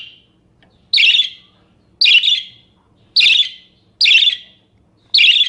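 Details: Budgerigar chirping meant as tutoring audio for other cage birds: loud, harsh, buzzy chirp bursts repeated about once a second, each fading quickly, over a faint low hum.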